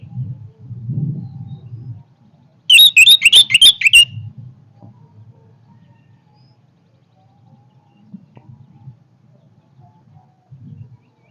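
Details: Orange-headed thrush giving a short, powerful burst of rapid, high, twittering notes, with low rumbling background noise before and after.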